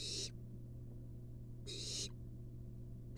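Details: Wild barn owl nestling in a monitored nest box, begging as its mother delivers a long-tailed rat: two harsh, hissing screech bursts about a second and a half apart, over a steady low electrical hum.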